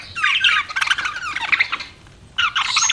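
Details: Pet budgerigar warbling chatter of rolling, buzzy chirps and squawks, a brief quiet gap, then another lively burst.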